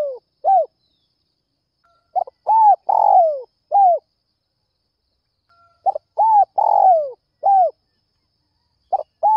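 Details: Early-morning spotted dove calling hard to entice wild doves: soft low coos, then two full phrases of stuttered short notes, a swelling coo, a drawn-out falling rolled coo and a final hoot, with silence between.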